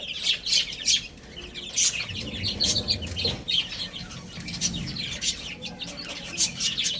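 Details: Young chicks feeding and playing, many high chirps overlapping in bursts, mixed with sharp clicking taps, over seven seconds.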